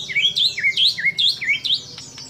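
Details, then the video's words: White-rumped shama in full song, filled with imitations of other birds such as kapas tembak, cililin, lovebird and canary: high, sweeping V-shaped whistles swooping down then up, delivered in quick succession, about four phrases in two seconds. "Murai Batu Gacor Isian Kapas Tembak Sambung Cililin Lovebird Kenari Dll"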